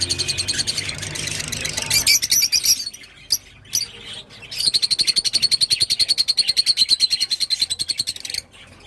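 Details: Rosy-faced lovebird song: dense, noisy, high chatter, a short pause with isolated squeaks, then a long, regular, buzzy trill of rapid pulses, about three per second, fading at the end.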